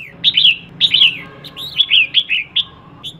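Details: Red-whiskered bulbul female, a decoy bird meant to rouse males, gives a string of clear slurred whistles and bubbly, downward-sliding notes in loose rhythm, with a soft hum underneath.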